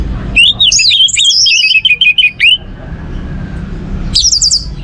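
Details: Orange-headed thrush singing, a recording used to prompt other songbirds into song: a rapid run of high whistled and trilled notes lasting about two seconds, a quiet gap, then a short sharp burst of high notes.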